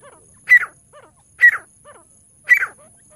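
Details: ['Francolin calling as a hunting lure, three sharp squawking notes about one second apart, each falling in pitch, with faint softer notes between them.']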